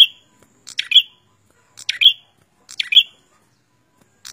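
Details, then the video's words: Prenjak in lively song, giving three sharp, high chirping bursts about a second apart, each ending on a bright ringing note, over a silent background. "Suara Burung prenjak gacor cabe rawit"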